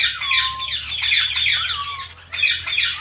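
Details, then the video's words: Indian ringneck parrots living as pets, a pair with a blue bird, chatter loudly: steady whistled falling notes under continuous raspy squawks, a brief lull, then another intense squawking burst. "Our Blue Ringneck Parrot | Natural Parrot Chirping Sounds and Voices"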